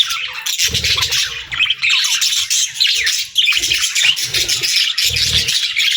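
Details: Cheerful pet budgerigar singing: an unbroken, bright, high warble of tumbling chirps and squeaks, steady and loud throughout, with faint low thumps beneath.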